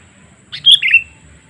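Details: A single lure call of a sooty-headed bulbul, played to draw in wild birds: a quick slurred phrase of high notes falling into a lower bubbling ending, with a quiet low hum behind it.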